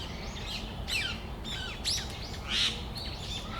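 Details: Brown-eared bulbuls (Hiyodori) in Tamagawadai Park on a December afternoon: several sharp, high, downward-sweeping squeaky calls given in quick succession, with steady low background rumble.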